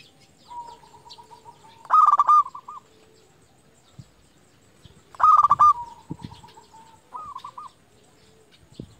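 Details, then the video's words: Loud rolling coos from a local zebra dove lure bird calling rivals, two phrases about three seconds apart, each followed by drawn-out softer notes and short tails from other doves. "Perkutut lokal gacor JUARA Pikat terbaik paling jago memanggil lawan"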